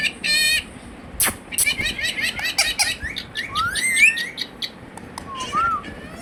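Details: Pet Indian ringneck parrot talking in a cute voice, said to be saying "Hello" and "Mithu Mithu"; high, squeaky chattering phrases with short rising and falling notes and sharp clicks, a few clear whistled slides mixed in.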